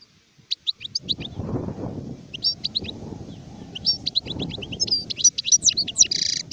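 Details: Adult European goldfinch singing, recorded in 2019: a rapid, uneven twitter of high, sharp chirps and short trills that thickens toward the end with a buzzy burst. Low rumbling thuds and rustling run underneath.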